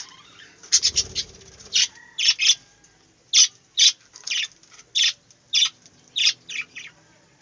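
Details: Budgerigars in a small aviary making loud, clipped high chirps about twice a second, each a short burst, after a soft rustle at the start.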